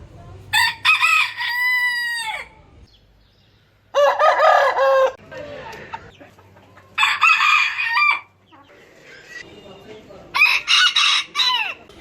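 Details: Roosters crowing one after another with short gaps, some crows ending in a long drawn tone and others harsh and rasping, four crows in all.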